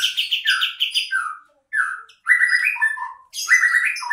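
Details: Bulbul song as a bird-attracting lure: bursts of quick repeated chirps, then lower warbled phrases with short gaps between them.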